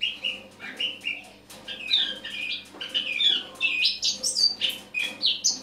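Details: Morning autumn singing by a Eurasian blackcap, 1 October 2017: soft chattering phrases that build into a faster, higher jumble of chirps and squeaky whistles.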